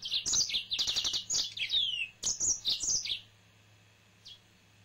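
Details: Pet male yellow-fronted canary sings a fast, high twittering phrase ending in a falling whistle, then a shorter chirpy burst, followed by near silence with one soft note.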